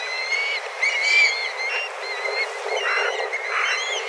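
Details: A flock of black kites flying about and calling intensely in search of food; thin whistled mewing calls with harmonics, several birds overlapping, with a few broader, rougher notes.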